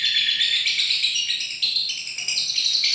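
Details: Continuous shrill chatter from a lovebird: fast, high twittering notes running together without a break.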